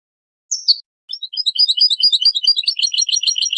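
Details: After a sharp, slurred opening note, a goldfinch pours out a dense, fast jumble of tinkling high twitters and chirps that runs to the end. Recorded as a song tape for teaching chicks and songbirds.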